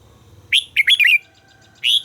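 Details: Red-whiskered bulbul, likely a kept bird in voice training, giving a short bright burst of warbled, whistled notes, then a pause and a single further phrase.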